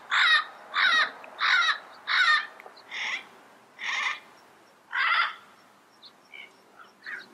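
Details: Yellow-headed amazon repeating harsh squawks, four quick ones, then three more widely spaced, followed by faint softer notes.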